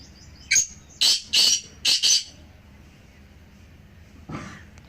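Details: Three black francolins calling, meant to rouse a quiet pet francolin into calling: a brief sharp note followed by four rasping broadband bursts in about one second, then a low muffled thump near the end.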